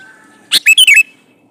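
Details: A male sooty-headed bulbul calls to a female with a single phrase: a harsh note followed by rapid, tumbling whistled notes, over a faint steady hum.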